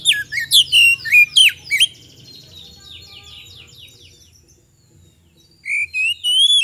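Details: Magpie-robin in full song, played to prompt a quick response from other birds. A rapid run of sharp whistled downslurs is followed by softer chattering trills, then long clear whistles rising at the end.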